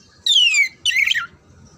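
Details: Oriental magpie-robin (kacer) singing, for training contest birds: one long clear whistle gliding downward, followed by a short harsh, scratchy burst.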